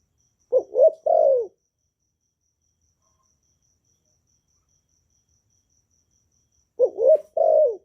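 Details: Spotted dove calling to train newly kept doves to sing, recorded without background noise: two identical low three-note coo phrases, quick hoots then a longer falling coo, separated by about six seconds of silence.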